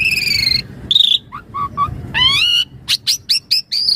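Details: Javan pied starling in lively gacor song with isian mompa fill, used as a training master and lure for starlings: sustained whistles with harmonics, short low notes, a rising buzzy phrase, then a run of sharp high chips.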